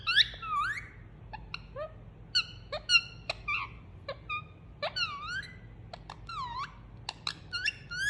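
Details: Soothing sounds from a pet Indian ringneck parakeet while being cuddled indoors: a series of looping up-and-down whistled squeaks and brief chirps, fairly steady throughout, over low hum.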